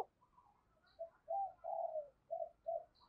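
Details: Decoy spotted dove cooing to challenge rivals, recorded faintly: a string of soft, short coos repeated at an uneven rhythm over low background hiss, with faint high ticks.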